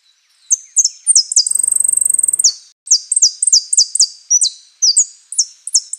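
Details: Saffron finch (Sicalis flaveola), song type "Osama" with prio, golpe and pitada: a rapid, very high buzzy trill near the start, then a long run of bright, sharply falling whistled notes delivered in quick succession.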